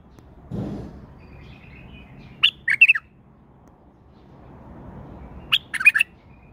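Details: Singing tame male bulbul: two brief, bubbly phrases of four or five bright chirped notes, spaced about three seconds apart, with a soft rustle or thump just before the first phrase and low background murmur throughout.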